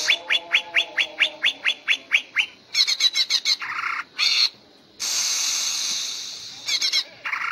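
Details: Gacor ngentrok singing of a greater green leafbird, the style trained for song contests: evenly spaced sharp falling notes repeated rapidly, broken by loud harsh buzzy bursts and short chattering phrases with brief silences between.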